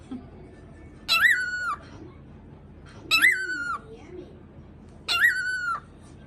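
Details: A cockatiel kept as a pet begins barking after imitating the sound of gargling. Three raspy, bark-like calls are evenly spaced about two seconds apart, each a short, flat, buzzy note with a sharp onset, with faint low murmurs between them.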